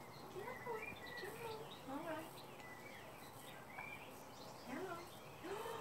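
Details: Wild Mandarin ducklings hatched in May 2017 in a garden in Gloucestershire, England, taking live mealworms by hand; many overlapping thin peeps, arching and slurring up and down, several birds calling at once.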